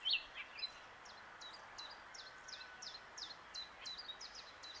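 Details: Common nightingale singing from its branch at a lake, Plan d'eau du Breuil, Bourbon-Lancy. After a bright opening note it gives a long, steady series of quick high repeated notes, slightly distant over a soft background hiss.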